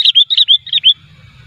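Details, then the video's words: Sooty-headed bulbul (kutilang) lure song for bird trapping, unedited: a short burst of five or six quick bright chirps, then a faint lingering tone and low background rumble. "pikat burung kutilang 100% asli gacornya tanpa editan"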